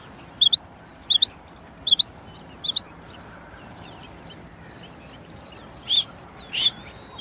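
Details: Female quail calls: four quick paired chirps at a steady rhythm, followed by quieter, blurred notes and faint high sweeping sounds.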